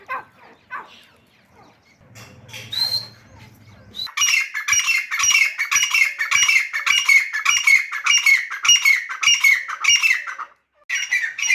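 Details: Female grey francolin calling: after a few seconds of faint low noise, a sustained series of loud, harsh, rasping squawks begins, repeated quickly and steadily, breaking off briefly near the end before resuming.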